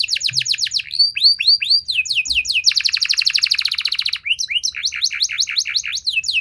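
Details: Canary in vigorous long-phrased song: repeated downward-curving whistles, a long rapid rattling trill, then quick chopped sweeps repeated several times a second.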